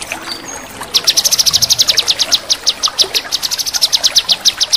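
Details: Crisp male cucak kinoi crecetan: after a quiet start, a long unbroken run of rapid, piercing high ticks pours out steadily for nearly four seconds, with faint water murmuring underneath.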